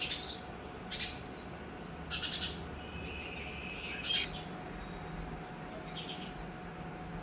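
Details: Colony of sparrows at a temple in MSJ College, Bharatpur, Rajasthan. Scattered bursts of sharp high chirping are separated by pauses, with a faint drawn-out whistle in between and a constant low hum.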